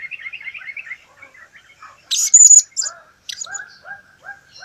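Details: ['High, shrill squeaky burst from a blue-crowned hanging parrot in a 2015 recording, lasting under a second midway through. It is surrounded by steady lower twittering and chirps from other birds.']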